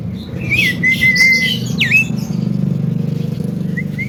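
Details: Javan myna, a bird able to talk, cough and laugh, giving clear whistled notes, a level tone then a sharp rising-falling whistle, with faint short whistles later, over a steady low engine-like rumble.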